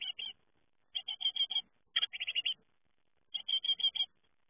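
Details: Great tit fledglings at the moment of leaving the nest give rapid groups of four to six sharp, high chipping notes, separated by silent gaps of about a second.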